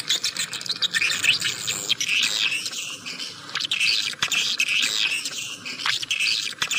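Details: Clear swiftlet sound: continuous high, buzzy twittering in bursts of about a second, with brief gaps and a faint hiss behind.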